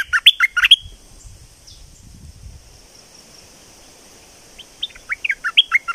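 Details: Streak-eared bulbul of southern Thailand in lively song: a fast burst of clipped, descending chirps opens, then a near-silent pause with faint rustling, before another run of bright chirps returns at the end.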